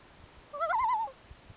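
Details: Night-time loon voice: a single short call that climbs, then wavers in a rapid rippling warble for roughly half a second before ending, with faint soft thumps behind.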